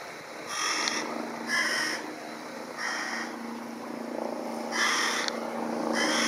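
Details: A hungry Carrion Crow fledgling begs while a parent searches plastic bags in a river in Japan in mid-June 2016, giving harsh, nasal caws about half a second long, roughly once a second, over a low steady hum.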